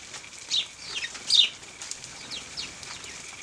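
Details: House sparrows bathing in dust and water at 0 °C on 14 December 2009; two short, high, downward-sliding chirps near the start and middle, with faint fluttering and scattered softer chirps between.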